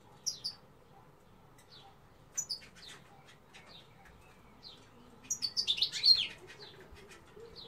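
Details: Female European goldfinch giving scattered high, thin chirps and short sharp ticks, then a quick run of rapid twittering notes near the end, over a quiet background hum.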